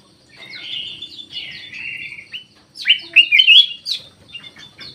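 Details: Aviary-kept black-naped oriole in Indonesia giving drawn-out slurred whistles, a short pause, then a louder burst of fluty, warbling notes fading into softer whistles.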